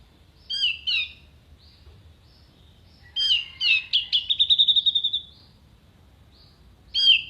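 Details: Orange-headed thrush singing a contest-bird tutor song full of sharp fill-in phrases: a few clear high whistled snatches, then a burst of rapid, accelerating piping notes on one pitch, separated by silent pauses.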